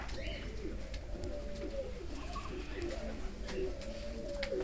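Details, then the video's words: King pigeons cooing indoors: low, rolling coos repeated through the recording, with faint background hiss. "κινκ περιστέρια"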